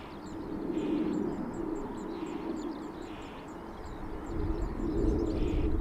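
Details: A juvenile female Reed Bunting, with a male nearby at Elmley Nature Reserve, begs for food with thin, high notes repeated about three times a second, partly masked by rain drumming on a car roof and a low engine rumble.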